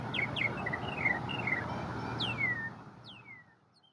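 A northern mockingbird sings a quick run of varied chirps, then two long, sweeping down-slurred whistles, over a steady low rumble of background noise.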